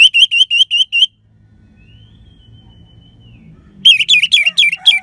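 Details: Persistent song of an orange-headed thrush with a 'crystal' voice, meant to stimulate other birds: a fast string of repeated upslurred whistles, a faint drawn-out whistle in the pause, then louder wavering repeated notes.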